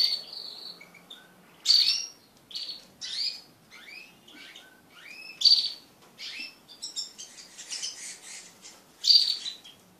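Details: Group of crested pet canaries during mating, heard as scattered high chirps and short warbled notes, some louder than others, with irregular gaps and a faint background hum.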